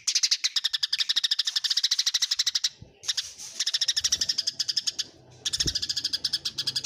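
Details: Rapid, steady chatter of Eurasian tree sparrows in a fight: dense runs of bright chirps, roughly eight per second, broken by two short silent gaps and a faint low knock.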